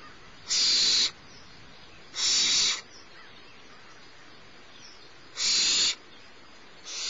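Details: Barn owl nestling, the littlest of the brood, being fed by the mother at Starr Ranch, 6 March 2011, mid-morning; repeated harsh, noisy hisses roughly half a second long arrive every one to three seconds over quiet background.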